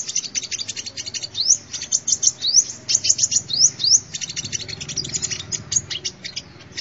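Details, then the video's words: Sunbird song used to lure birds: busy, high-pitched chattering with repeated quick upward-slurred whistles, overlapping ticks, and a steady pace. "tiếng chim hút mật"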